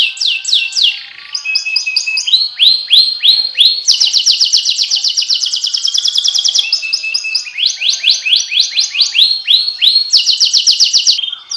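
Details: Domestic canary singing a fast, varied song: rapid trills of downward-sweeping notes between high pitches, changing tour every second or two, with buzzy rolls and sharp chips; no other sounds.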